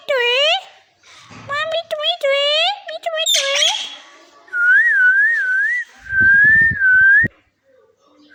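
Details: Parrot talking indoors: harmonic, voice-like syllables with rising and falling pitch, then long wavering whistles that wobble up and down, with faint clicks and rustles.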